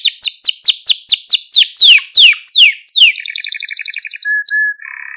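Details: Male Maltese canary singing to stimulate other canaries: a fast series of loud descending whistled sweeps, then a buzzy rolling trill and steady held tones.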